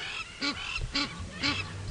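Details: Crowned lapwings flying overhead at Djuma Game Reserve during a sunrise safari drive around 6:30 AM on 12 June 2017 give three loud, harsh, strident notes about half a second apart over a low vehicle engine rumble.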